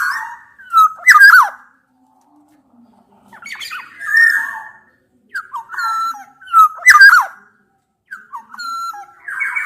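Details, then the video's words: Black-naped oriole, a mix of Javan and Sumbawa males and females, challenging a rival: fluty whistled phrases near mid pitch broken by harsh squawking bursts, in four loud bouts separated by short silences. "kepodang gacor MENANTANG LAWAN ini sangat ampuh membuat agar burung podang gacor nyaut emosi"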